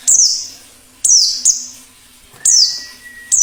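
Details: Wild white-eye, plengi ngalas, a sound used to attract wild birds and spur singing: short high descending sweeps at uneven intervals, about four notes, with a brief thin steady tone near the end.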